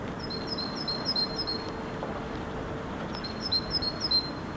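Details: Great tit in Helsinki, Finland, February, singing its monotonous song out of sight: two phrases, each a simple high-then-lower two-note motif repeated about five times rapidly, separated by a short pause, with constant background hum.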